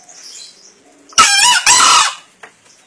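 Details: Green junglefowl, a wild-caught bird aged one and a half years from Kediri, East Java, entered in a 2016 crowing contest: a loud, harsh two-part crow, a short first burst then a longer raspy second burst, lasting about one second.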